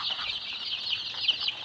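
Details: Many Tiger chicken chicks at a Sirajganj, Bangladesh farm, cheeping nonstop in a loud overlapping mass of shrill high peeps with brief, sharper accents.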